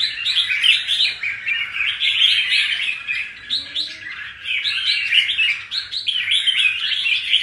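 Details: Caged red-whiskered bulbul, wild-caught and newly through its first molt, showing lively performing form; dense, continuous high chirping and twittering phrases that rise and fall without pause, with a faint low hum underneath.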